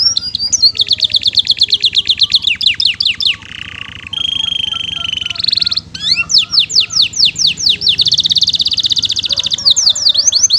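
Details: Canary in long, energetic 'gacor' song with rich 'isian mewah' content, a tutoring recording: fast tours of repeated chirps, a held buzzy note, sweeping downward slurs, and a dense high rolling trill, all given without pause.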